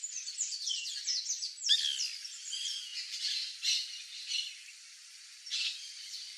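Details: White woodpecker (Melanerpes candidus), known locally as cri-cri or birro, visiting backyard fruit in Brazil: a rapid jumble of harsh, rattling squawks, loudest near the start, tailing off into scattered grating notes and a final burst.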